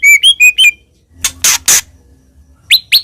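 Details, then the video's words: White-rumped shama song for luring birds: four quick clear whistled notes, then harsh noisy bursts, and two sharp upswept notes at the end. "MURAI BATU GACOR 100% AMPUH BUAT PANCINGAN "ORIGINAL""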